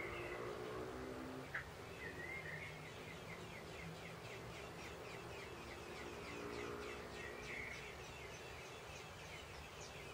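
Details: Young common blackbirds being fed during heavy rain, recorded last year: a rapid series of thin, high, slurred begging notes, about four a second, rising and falling, over a steady hiss of rain with a few lower whistles.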